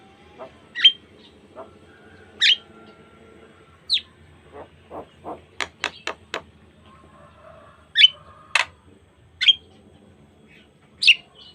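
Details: Sparse phrases from a Javan myna, jalak kebo, in a natural tutor recording for starlings: isolated sharp whistled notes every second or two with a brief quick run of clicks in the middle, faint background hum.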